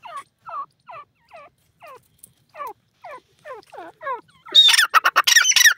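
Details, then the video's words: Grey francolin giving its full call: a series of short, descending, slightly harsh notes repeated about once a second that grow louder and quicken. It ends in a loud burst of shrill, rapid, harsh notes. "grey francolin voice,dakhni teeter ki full awaaz"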